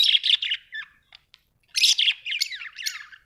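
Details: Budgerigars kept at home warble and chatter rapidly in buzzy, wavering phrases, with a short quiet gap midway.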